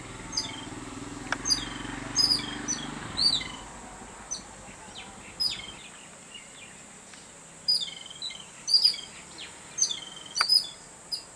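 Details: Babbler, excited at the sight of a cat, repeats short high harsh chirps with downward slurs in irregular clusters, several callers overlapping, over a constant high hiss and some low rumble early on.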